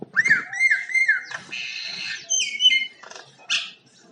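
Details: Common myna singing with varied sounds: repeated wavering whistled notes, then a long buzzy rasp, sharp clicks and a brief high squawk, with pauses between phrases.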